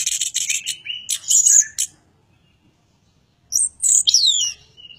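Chestnut-capped Thrush singing a fast, varied run of high chirps and buzzy notes, then after a short pause a series of sliding, falling whistles.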